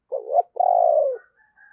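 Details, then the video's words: ['Spotted dove used as a decoy, calling to prompt others to coo; a low warbled opening note, then a drawn-out mellow coo falling away, followed by faint higher tones.'] "Chim Cu Mồi Thúc Và Gáy Gọi Kích Bổi Nhanh Gáy"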